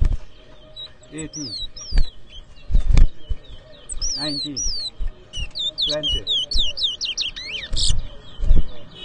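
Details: Competition song of a towa towa (chestnut-bellied seed finch) in New Amsterdam, Berbice, Guyana, 2023. Paired falling whistles, then a long fast run of clear slurred notes ending in a buzzy burst, amid loud voices.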